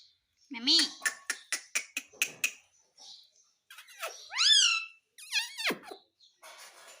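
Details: Talking parrot asking for roti: a quick run of sharp clicking ticks, then two loud arching harmonic calls and a steeply falling squawk, all in a small indoor room.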